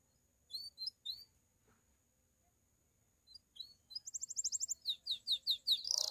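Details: A pied Belgian canary singing in the campainha manner to stimulate other canaries and females: a few soft, widely spaced high chirps, then a quick pulsed trill and accelerating series of bright descending notes, with a faint steady hum.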